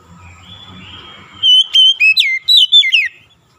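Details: Song of an Oriental magpie-robin, used to restore a stressed bird that has stopped singing. Faint low rumble at first, then a quick run of about seven bright whistles, slurred up and down, lasting under two seconds.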